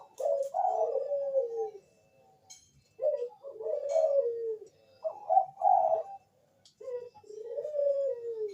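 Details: Bangkok-line zebra dove lure song for coaxing other doves to respond: a series of mellow, rolling coos with quick stutters. Each phrase sags downward in pitch, and the phrases come one after another with brief pauses.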